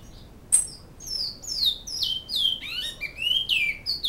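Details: Bicudo, the great-billed seed finch, in Canoas giving its flauta-type song: bright downward-slurred whistles that end in a few lower notes sweeping upward, clean and fluty over faint background hiss.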